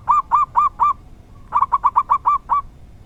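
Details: Zebra dove of a local strain with a rare 'dor tak kowor kowor' song: four slow, round coos, a pause, then a quicker run of seven hooked notes.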